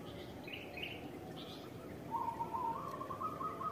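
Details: Local zebra dove used as a lure that other doves answer at once. After a quiet start with faint higher chirps, a gentle rolling series of mid-pitched coos rises slightly, over steady background hum.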